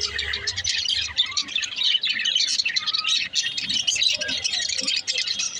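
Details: Budgies keep up a steady, crowded chatter of fast high chirps, clicks and warbles, with short whistled notes now and then and a low rumble at the start.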